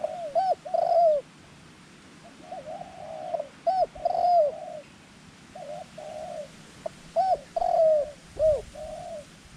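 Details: Dove kept as a decoy to attract wild doves, cooing in steady repeated phrases of three to five arched notes, each followed by a longer warbling note, with a brief knock near the end.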